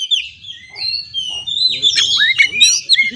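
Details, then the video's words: Lure song of the Oriental magpie-robin (kacer) meant to get stressed birds singing: dense, varied high whistles and slurred chirps over a steady low background hum. "Terapi kacer stres langsung gacor dengan pancingan suara burung kacer ini"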